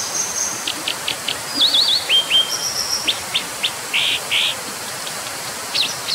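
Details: Brown dipper (Cinclus pallasii) delivering a thin high whistle, a rapid zigzag trill, falling slurs, ticking notes and two rasping buzzes, with steady roaring noise underneath.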